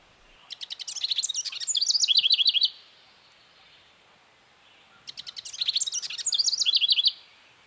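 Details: House Wren song in spring, central/eastern United States: two bubbling, gurgling bursts about two seconds long, opening with scratchy notes and ending in a rapid, musical descending trill.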